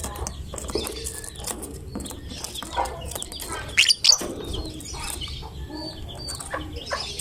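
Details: Lovebird singing in "gacor" style as a fighter meant to provoke other lovebirds into calling; busy, scratchy high-pitched twittering throughout, broken by a pair of loud shrill squeaks partway through, with faint low background noise.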